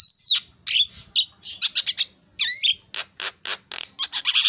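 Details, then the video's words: Javan myna singing a lure song meant to set other mynas calling excitedly; a clear falling whistle opens, followed by harsh rasping bursts, slurred whistles and rapid clipped chirps in quick irregular succession. "KICAUAN PALING MERDU JALAAK KEBO GACOR"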